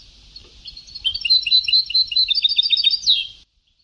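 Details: From an old sabtawi-style goldfinch tape, a European goldfinch delivers an unbroken two-and-a-half-second run of rapid, liquid, tinkling twitters and trills that ends in a sharp upward flourish before cutting to silence.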